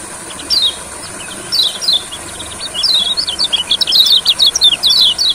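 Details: Singing olive-backed sunbird outdoors in rice paddies, where a lazy singer is said to become vocal: sharp high slurred chips that speed up into a rapid, jumbled twittering sequence in the second half, with constant high-pitched background buzz.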